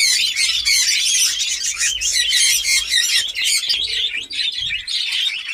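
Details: Caged budgerigar breeding colony in Darbhanga, Bihar, at breeding onset: busy, overlapping high chirps and twittering warbles from many birds throughout, with faint low background hum and a brief low sound near the end.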